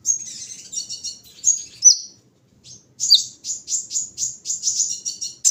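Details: Kolibri ninja, the olive-backed sunbird, in the morning dew: scratchy high twittering and a downslurred whistle, a pause, then a steady run of sharp rising-falling chips.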